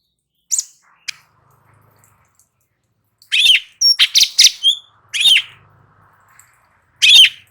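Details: Light-vented bulbul (cucak cungkok) singing hard, used as training audio to make other birds answer: a few scattered sharp notes, then a burst of loud, rapid, chattering high phrases with short gaps, and a final loud phrase.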